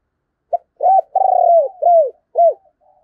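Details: Spotted dove used as a decoy, cooing at Tet to draw in wild doves: five coos in a tight phrase, a brief opening note, a long purring middle coo, and two shorter downward-curving coos.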